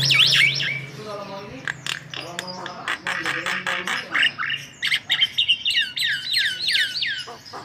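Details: Energetic white-vented myna song meant as a lure for other birds. It mixes harsh squawks, clicking bursts and rapid chatter, and ends in a string of hooked, high whistled notes.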